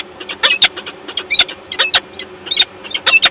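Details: Agitated common starling calling loudly in Gdańsk, Poland, on 29 August 2022: harsh, rasping, scratchy bursts repeated in rapid irregular clusters, roughly ten to twelve strident notes, over a steady low background hiss.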